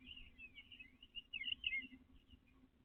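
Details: Eastern bluebird male nest-building in a backyard in nesting season, 29 April 2025: a soft, continuous warbling of short slurred whistles, rising and falling, louder in the middle, over faint low background hum.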